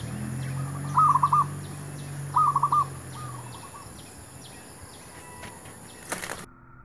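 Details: Zebra dove cooing to lure wild doves for trapping: two clear trilled phrases and a fainter third, then a loud sharp knock near the end, with insects ticking steadily throughout.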